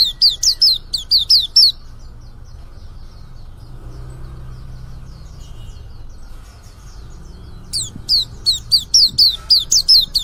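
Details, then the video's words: Young white-eye at the start of its singing: a burst of loud high downslurred chirps, several seconds of faint soft twittering, then another lively run of sharp descending notes. "suara pleci muda mulai buka paruh"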